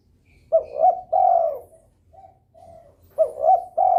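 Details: Spotted dove in breeding mood, vocal and persistent to excite rivals; a loud three-note coo phrase, a short pause with faint coos, then the phrase begins again.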